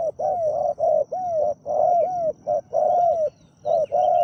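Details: Caged spotted dove used as a decoy to attract a wild one, cooing in the deep 'khu ang' voice. Loud hollow hoots run almost without pause, doubled and tripled notes with gentle falling tails.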